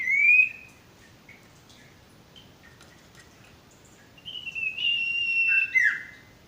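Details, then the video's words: Male sirtu, used as a training song for stressed or non-singing birds: a thin rising whistle, scattered soft notes, then a longer wavering whistled phrase ending in a sharp drop. "masteran burung sirtu bakalan maupun stres macet"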